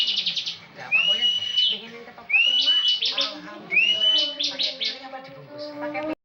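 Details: Caged bar-winged prinia in active ngebren song: three clear upslurred whistles, each trailed by a quick stuttering buzzy trill, spaced about one and a half seconds apart.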